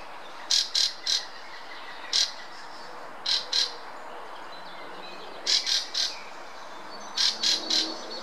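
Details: Fieldfare singing in the Munich Botanical Garden, Germany: short, harsh, squeaky high bursts, mostly grouped in twos or threes, separated by pauses of one to two seconds, over a quiet, steady background.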